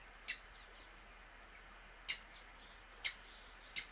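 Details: A violaceous euphonia, one of a pair foraging for food in Pernambuco, Brazil, gives four short, sharp high notes at uneven intervals over about four seconds against a steady thin insect whine.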